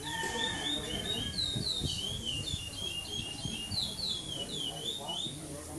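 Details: Chestnut-bellied seed finch (curió), a brown 'pardo' bird, singing in the 2014 Maranhão praia clássico song tournament at São Domingos do Maranhão, placing second without repetition. Its high whistled phrases rise and fall quickly, with low room noise and handling sounds behind.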